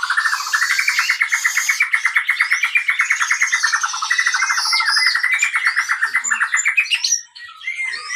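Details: Captive white-rumped shama song played as a lure to stimulate other birds: a long rapid rattling trill, steady and pulsing, with higher whistled phrases layered above, ending abruptly after about seven seconds.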